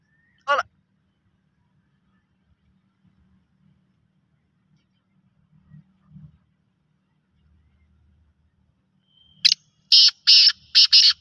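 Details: Native black francolin calling: after a single sharp note and a long quiet stretch, a burst of four or five loud, grating, clipped notes in rapid uneven rhythm, with faint low rumbling in the background.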